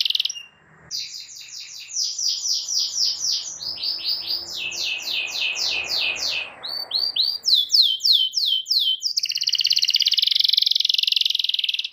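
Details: Domestic canary song meant to teach young canaries: varied tours of repeated downslurred syllables changing every second or two, ending in a long dense rolling trill, with a faint low hum beneath.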